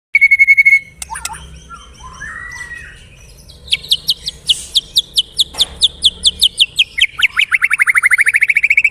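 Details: White-rumped shama singing vigorously (gacor): opens with a steady high whistled note, then varied chattering phrases, followed by a long run of sharp, rapidly repeated notes ending in a fast buzzy trill.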